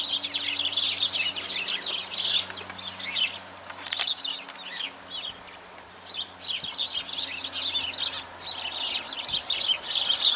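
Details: Sparrows twittering in a group: bursts of rapid, scratchy chirps, a brief quieter lull midway, then the chorus picks up again, with a low hum behind.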